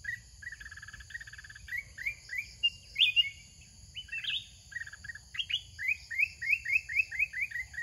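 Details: Large, big-voiced, fierce wild-type Red-whiskered bulbul used as a caged decoy for bird trapping, giving very fast, bubbly phrases of short chirping, rising and falling notes in rapid runs, over a steady high insect whine.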